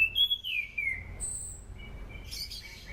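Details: Anis cendana, a thrush, sung as a lure for training birds: a clear whistled phrase sliding down from high to mid pitch, then a thin high note and short twittering fragments.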